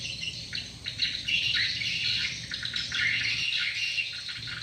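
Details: Flock of swiftlets calling around a SP Sanro lure sound: rapid, shrill chirps and squeaky twitters, about three or four per second, overlapping in a thick chorus.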